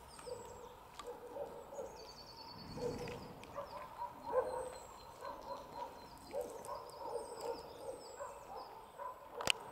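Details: Soft, low, hooting coos of a common wood pigeon (Columba palumbus) in rhythmic phrases, with thin high whistles from other birds in the background.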